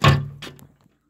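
A woodpecker pecks at window glass: one sharp, hollow knock with a low ringing thud, then a softer second tap about half a second later.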